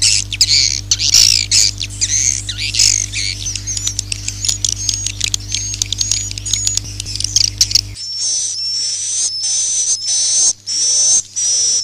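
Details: Lure sound for attracting swiftlets: busy high chittering and clicking over a low steady hum, then cleaner buzzy high trills in short rising bursts about once a second.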